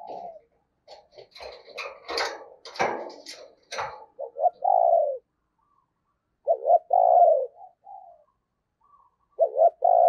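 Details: Decoy spotted dove calling to lure wild doves; clattering and rustling noise at first, then repeated short double coos with long mellow coos.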